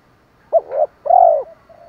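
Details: Luring call of a spotted dove in the 'thổ pha thúc' style: a short clipped note gliding into a rising coo, then a single long, mellow, arched coo fading into soft murmurs.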